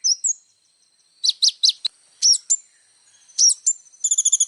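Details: Little spiderhunter in 'isian' song meant for tutoring: scattered thin whistles and sharp high chip pairs separated by gaps, ending in a quick run of bright, evenly spaced notes.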